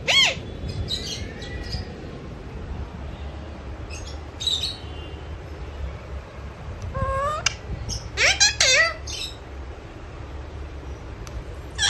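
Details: Parrot talking in its sleep. Sparse, squeaky chirps and speech-like syllables come in brief clusters, with a busier flurry near the end, over steady indoor noise.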